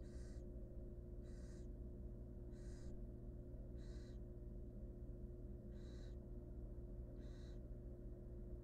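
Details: Wild barn owl nestlings, hungry in their nest box, give rasping hiss-like screeches, six even bursts spaced roughly every one and a half seconds, with a constant low mechanical hum underneath.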